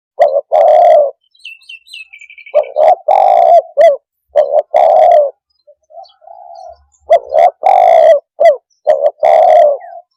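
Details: Tekukur, the spotted dove, giving calls used to quickly stir up other birds: repeated phrases of short clipped coos ending in a drawn-out raspy coo. Faint high chirps from another bird come near the start, then quiet soft notes.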